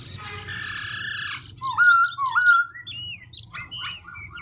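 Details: Black-throated laughingthrush singing and continuously switching its voice: a harsh, noisy burst first, then clear whistled notes that slide up and down in varied, separate phrases.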